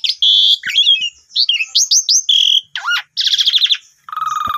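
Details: Asian pied starling in full varied song, played to prompt a newly bought bird to sing: whistles, buzzy harsh notes, upward-sweeping slurs and fast chattering rattles run together loudly.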